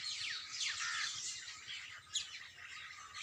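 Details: A brief stretch of early-morning bird singing: several birds chirp at once, with fast descending whistled notes and one sharp, bright note standing out near the end.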